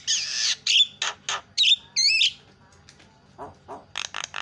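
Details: Javan myna giving a loud song of harsh, noisy bursts mixed with wavering whistled slurs, then softer lower notes and rapid ticking at the end.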